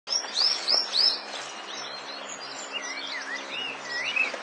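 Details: Crested bunting singing: a quick run of bright upslurred whistles, then a lower phrase of rising and falling slurred notes. Faint rural background hiss.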